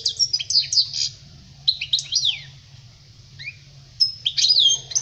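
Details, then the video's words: European goldfinch song for tutoring young birds: tinkling high notes and fast downslurred whistles in clustered phrases, a quieter pause mid-clip, then renewed twittering over a faint low hum. "Chant chardonneret pour les jeuns لتعليم صغار طائر الحسون"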